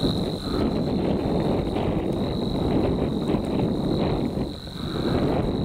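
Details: Shy Savi's warbler at the Groene Jonker: a steady, unbroken high-pitched reeling buzz runs through the whole stretch, partly buried under loud low rumbling wind and handling noise.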